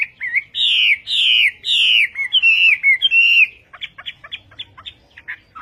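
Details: Chinese hwamei song: loud, rich whistled phrases sliding downward, each about half a second, repeated in quick series, then a run of short sharp chirped notes; no other clear sounds.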